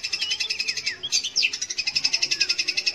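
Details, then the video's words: Long-tailed shrike singing to draw out young or silent shrikes: rapid, evenly pulsed high chattering notes, briefly broken by a sharp rising and falling whistle before the steady chatter resumes. "kicau BURUNG CENDET / PENTET untuk PANCINGAN."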